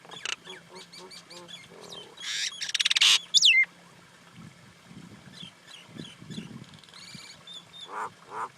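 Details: Common Indian myna chattering with clicks and rasps, a long loud grating burst, then one sharp falling whistle and softer low gurgling notes.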